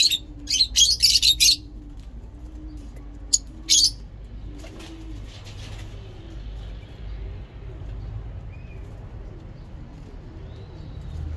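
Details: Lovebirds chatter in a loud, scratchy flurry over the first two seconds, add a couple of sharp squeaks, then fall quiet beneath steady low cooing from other birds.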